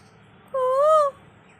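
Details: Asian koel (kokil) that visits a wood apple tree daily, called near a rooftop: one clear, sweet whistled note of about half a second, rising slightly then falling, with soft overtones above a quiet background.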